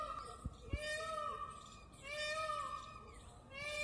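Indian peafowl giving three loud, nasal, drawn-out wailing calls about every one and a half seconds, with two sharp knocks near the start.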